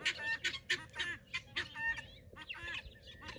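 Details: Several garden pearl guineafowl calling noisily in excitement: coarse, clipped squawks about four per second, irregular and overlapping.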